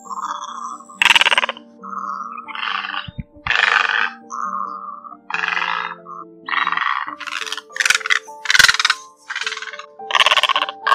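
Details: Egrets of two sizes, males and females, give flock calls for hunters' lures. About a dozen grating, croaking bursts are spaced roughly a second apart, with some short and sharp, over faint steady music.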